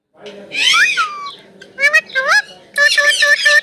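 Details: An Indian ringneck parrot speaks, its words given as "mitthu, mammi". Three speech-like phrases: a rising then falling squawky syllable, two quick upward-bending notes, then a buzzy, evenly pulsed string of syllables.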